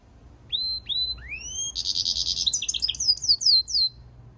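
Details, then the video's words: A goldfinch × canary mule opens with three separate rising whistled notes, then breaks into a quick stream of buzzy trills and chirps that run into a cascade of sliding high notes. "European Goldfinch mule singing - Jilguero Mixto"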